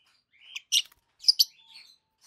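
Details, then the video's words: Two adult peach-faced lovebirds, both green, one with a red face and one with a yellowish-white face, chirping: a thin rising note, then shrill bursts in two close pairs, with softer warbled notes trailing off. "Lovebirds Sounds - Peach-faced Lovebird"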